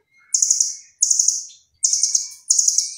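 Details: Velvet-fronted nuthatch singing actively, its song filled with imitations said to resemble cililin: four very high, rapid, buzzy rattling trills, each a short burst that trails off, spaced roughly every 0.7 seconds in otherwise quiet surroundings.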